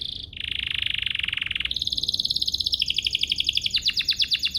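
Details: Domestic canary singing as a lure to set other canaries singing: a buzzy low trill, then a higher rapid trill that steps down into fast repeated notes, all high-pitched and continuous.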